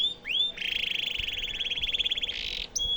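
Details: Canary song used to train White-rumped shamas. A rising whistle opens into a sustained, pulsing rolling trill lasting about two seconds, closed by a short clear note.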